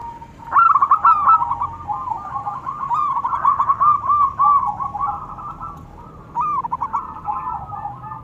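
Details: Local zebra doves, male and female, answering each other in near-continuous calling: dense runs of quick clipped coos for most of the clip, a brief lull, then another burst.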